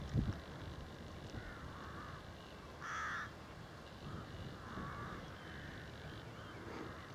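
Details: Crows near Sandon, North East Hertfordshire, on a cold December day give harsh caws in a loose series while many red kites gather, the loudest caw about midway, over steady low wind and a brief thump at the start.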